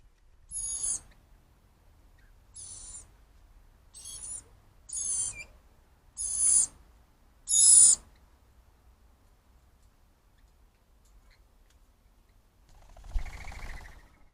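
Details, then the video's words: Cockatoos visiting a backyard tree for food in the evening, birds excited for food; six harsh, noisy screeches at uneven intervals over about eight seconds, then a quieter, lower rasping call after a pause. "Cockatoos Are Mischievous Inquisitive Birds"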